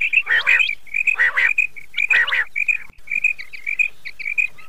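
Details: Common quail (battair) heard on a hunters' calling track for Chand Raat. Harsh, grating bursts alternate with steady strings of short whistled notes, all at a similar pitch.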